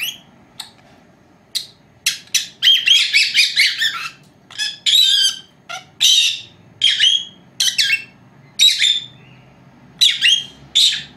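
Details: Female lovebird pair, four months of age, at home taking a siesta, captured by an old camera left alone; rapid run of sharp clicks and shrill chirps building into dense chatter, then spaced squawking calls.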